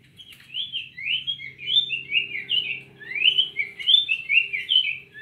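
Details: Cinnamon tanagers singing: a continuous run of warbled, slurred phrases, each sliding up and down, with quick rising sweeps mixed in and a faint low hum underneath.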